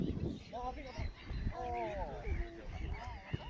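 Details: Goose family walking in a park: several nasal, harmonic honks in short bursts, some rising then falling, overlapping one another, with low rumbling background noise and footsteps throughout.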